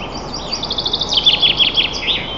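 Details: A white-tailed eagle at its nest 35 m up in Nizhnyaya Kama National Park, Tatarstan, on 2 May 2024 at 11:25 gives a rapid, high yelping series, thin notes running into louder, falling kli-kli-kli cries over about two seconds, with faint hiss.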